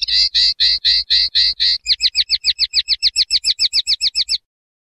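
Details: Common linnet song, opening with repeated broad buzzy notes, then switching to a quicker series of crisp, hooked notes that end abruptly.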